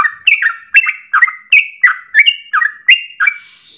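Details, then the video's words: Yellow-vented Bulbul (trucukan) giving a rapid lure song for bird training: about nine quick chirps, each stepping between a low and high note, then a fading hiss at the end. "Trucukan gacor dor ropel panjang untuk pancingan masteran pagi siang sore hari"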